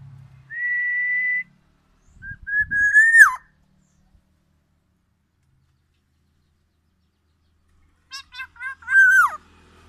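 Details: Tame black-naped oriole singing actively with its distinctive loud song: a steady level whistle, a pause, then a slurred falling fluty phrase, silence, and a few short notes ending in another drawn-out downward slur.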